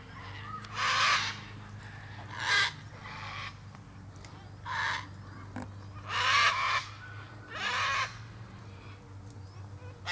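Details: Short, harsh cockatoo squawks come roughly every one to two seconds, each a rasping broadband burst, against a constant low electrical-sounding hum.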